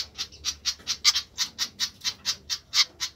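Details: A noisy flycatcher gives rasping, buzzy notes in quick succession, roughly four per second, evenly spaced and all at similar pitch, over a low background hum.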